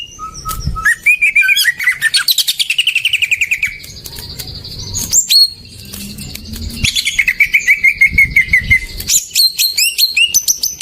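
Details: Greater green leafbird singing as a lure for birds that have stopped singing: long, varied phrases of fast trills, thin high buzzy notes and sweeping whistles, with a steady chattering run of repeated notes near the end.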